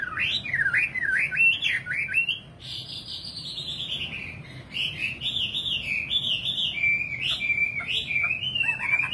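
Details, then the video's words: Nightingale singing: a run of rapid looping whistled notes, then a long sustained high tone sliding slowly downward, followed by a series of repeated wavering phrases around two to three kilohertz over a low background hum. "Singing nightingale. amazing bird song"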